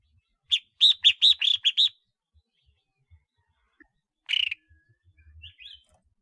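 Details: Red-whiskered bulbul used as a decoy: a fast run of six or seven bright chirps, a long pause, then one rough, buzzy note and a few faint, soft twitters.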